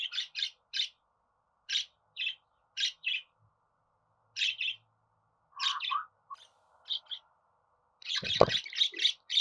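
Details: Budgerigar chirping, played to encourage pet budgies to sing and talk: bursts of short, bright, scratchy chirps in quick clusters with pauses between, ending in a denser chattering run with one low thump.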